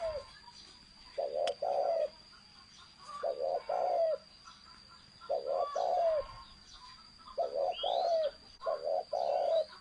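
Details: Spotted dove, thổ sấm style cooing: a long run of low, mellow two-note coo phrases repeated every couple of seconds, each note bending downward, with a sharp click and occasional rising chirps from other birds.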